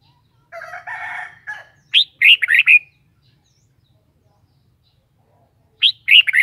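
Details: Kept red-whiskered bulbul: a rough buzzy chatter, then a short sweet phrase of four quick warbled notes, silence, and the same bubbly phrase starting again.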